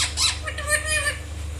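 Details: Pet Indian ringneck (rose-ringed parakeet) gives a harsh, hoarse squawk, then a brief raspy chatter, over a steady low indoor hum.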